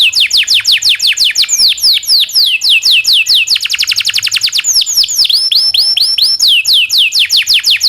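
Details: Domestic canary performing long rolling master song for canary training: rapid series of falling whistles that speed into a dense roll, then slower looping sweeps and upturned notes.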